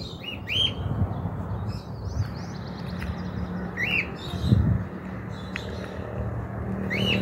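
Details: Loose cockatiel perched on a house roof in 2023, far from where the species normally occurs; clear rising whistles repeated every second or two, with low traffic-like rumble and a soft thud midway.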